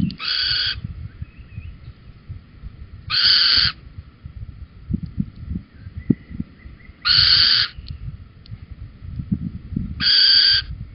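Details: Little owls in Holten, Netherlands, on 4 May 2020 at 21:16, as the male brings a cockchafer and the pair leave together: four harsh, rasping screeches, each about half a second, spaced three to four seconds apart, over a low rumble.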